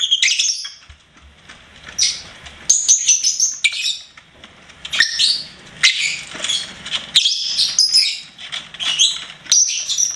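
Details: Chattering pet lovebird sings in long runs of piercing, squeaky chirps and scratchy trills, with short breaks of a second or so between bursts.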